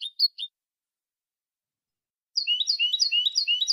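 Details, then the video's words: European goldfinch singing a copia malaga style phrase, an edited recording meant for tutoring young birds. A few short high chirps come first, then after a pause a fast, liquid twitter of alternating high and lower notes. There is no background sound. "تغريد حسون كوبيا مالقا لتلقين الفراخ ©chant copia malaga chardonneret"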